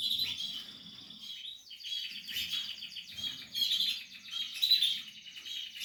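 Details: Portuguese harlequin canary during nest building, singing a continuous loud song of dense high trills and rolling twitters that rises and falls in waves.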